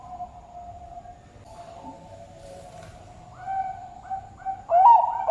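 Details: A captive zebra dove, a male about two and a half years old, sings in Sidoarjo, East Java, Indonesia: a soft, low, hollow hum, then a quick run of short cooing notes ending in a louder, rising coo.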